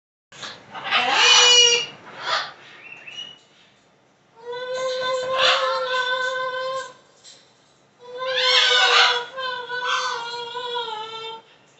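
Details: A pet green-winged macaw warming up to sing its favourite song, Minnie Riperton's "Lovin' You", indoors: three long bursts of harmonic, wavering vocal tones with rising and falling sustained notes, separated by short pauses.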